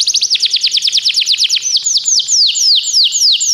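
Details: Training song of a canary, a quick series of falling whistled notes at about three per second that slows into broader, sweeping down-slurred phrases, bright and high, nothing else audible.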